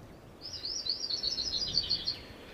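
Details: 'Akeke'e on Kauai, Hawaii, recorded in 2005: a thin, high trill of rapid, slightly wavering notes lasting almost two seconds, over faint background hiss.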